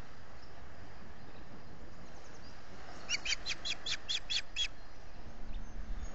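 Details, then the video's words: Osprey at its nest at Salt Point in the Finger Lakes, US, calling for fish on a June 2021 morning, captured by a solar-powered nest camera: about seven short, sharp, evenly spaced chirps in quick succession over steady low background rumble. "calling for fish"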